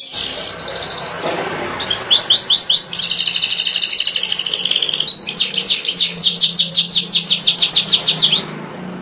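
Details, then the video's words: Yellow canary singing: a loud, high, rolling song of rapid repeated notes, first a brief trill, then long even rattling rolls and a string of fast rising-falling syllables, with a faint hum beneath. "#كناري أصفر روعة #İnanılmaz sarı kanarya #Incroyable canari jaune #Increíble canario amarillo"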